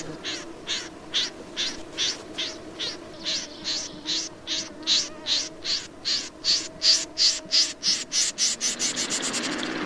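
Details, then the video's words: Snipe delivering a long, regular series of harsh, chipping notes that grow louder and speed up toward the end into a fast rattle, over a low steady hum. "Tiếng chim Rẽ Run"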